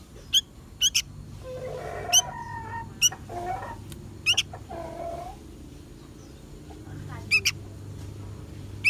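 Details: A young sooty-headed bulbul gives sharp, high, scratchy begging chirps at irregular intervals, over lower mewing sounds and a steady low hum; the call is used as a lure for trapping.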